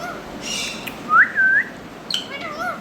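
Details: Indian ringneck parakeet pairs: two clear whistled notes near the middle, the first rising then falling, the second a long level slur that turns upward, with faint higher squeaks before and after.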